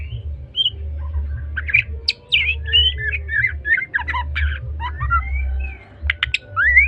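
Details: Medan-type white-rumped shama in energetic trotol song, mixing quick staccato chips, long smooth rising whistles and sharp clicks, with a low steady hum behind.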